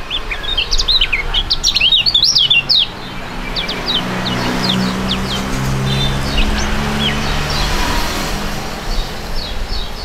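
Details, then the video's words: Two young songbirds praised as fighting-type contest birds open with a rush of rapid, high, zigzag whistles, then fainter scattered chirps over low droning background noise. "STORING DUET PRUGUT DUA BURUNG MUDA YANG SANGAT ISTIMEWA"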